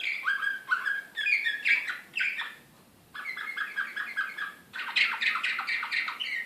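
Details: Serbian slavujar canary, an excited bird recorded in Belgrade in 2016, pouring out a rich, continuous warbling song of rapid rolling trills and chattering phrases. A brief pause comes near the middle before the song resumes.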